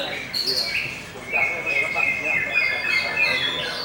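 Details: Greater green leafbird singing in the busser style, with the song described as mixing dacim, cikal and cicada-like phrases: clear, high, sustained whistled notes, some wavering and overlapping, with brief squawky accents and a faint voice behind.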